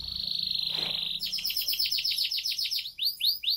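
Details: Diligent canary singing 'bocor' style: a long steady high whistle, then a quick series of sharp descending chirps, slowing into a few spaced downward-sweeping notes.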